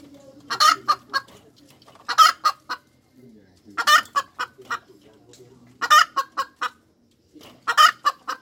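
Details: Hens cackling: bursts of loud, harsh clucks about every two seconds, each a strong note followed by three or four quicker, fading clucks, with faint low murmuring between bursts.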